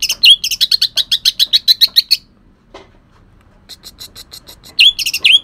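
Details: Kalimantan greater green leafbird delivering harsh song with shrike mimicry: a quick run of about a dozen sharp chirps, a silent gap, then fainter chirps and loud upswept notes.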